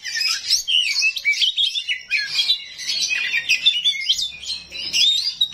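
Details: Oriental magpie-robin, a small 'rawit' bird, giving rough imitated fills that prompt rivals to respond: busy, harsh chatter of overlapping squeaky whistles and rasping notes, unbroken over several seconds.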